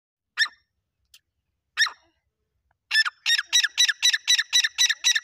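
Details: Grey francolin calling: two separate harsh notes, then a fast run of about nine loud, grating, evenly spaced notes, roughly four per second, in a quiet setting.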